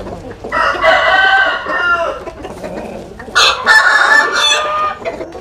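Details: Rooster in rural southern Vietnam, Asil and Cuban-type fowl sunning themselves, crowing: a long harmonic crow with a hoarse quavering tail, a pause, then a second crow from another bird over faint background noise.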